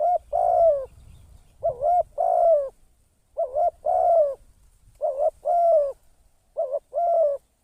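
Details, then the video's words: Decoy spotted dove used for trapping, giving repeated coo phrases, each a quick wavy note followed by a drawn-out even coo, five phrases in steady succession with faint low background noise. "เสียง นกต่อ นกเขาใหญ่"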